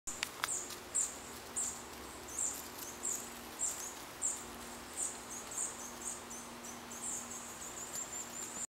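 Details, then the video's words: A hawfinch gives its flight call: short, sharp, very high ticking notes, about two per second, over a faint low hum. "Kernbeißer flight call"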